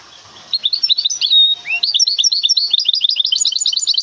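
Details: Goldfinch hybrid from Temara, a cage bird, singing quick high twitters, then a held whistled note and a rising slur, followed by a steady stream of clipped chirping notes.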